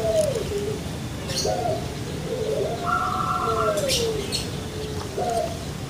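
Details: Kept Barbary dove, the puter pelung of Java, Indonesia, giving low sustained coos that slide and bend, with a long drawn middle note, over a steady noisy background.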